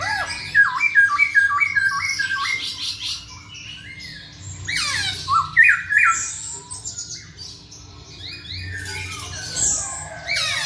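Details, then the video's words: Masked laughingthrush (poksay Hongkong) in full voice, a quick string of repeated whistled notes followed by scratchy squawks, sweeping calls and quieter chatter. "KICAU BURUNG POKSAY HONGKONG GACOR"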